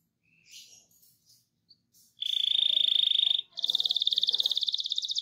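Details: Canary, a rolling, chattering song used to stir other canaries into singing: faint scratchy notes, then a fast buzzy trill held for over a second, a short gap, and a second even rapid trill.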